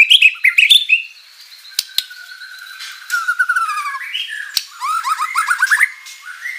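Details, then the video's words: White-rumped shama in full song with mimicked filler material: opening whistled flourishes, scattered clicks and a soft falling trill, then a burst of rapid rising whistled notes near the end. "MURAI BATU GACOR full isian materi mewah"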